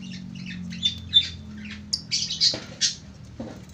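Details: Lovebird in long ngekek singing: a run of short, high, scratchy chirps followed by several louder shrill squawks in an uneven rhythm, over a steady low background hum.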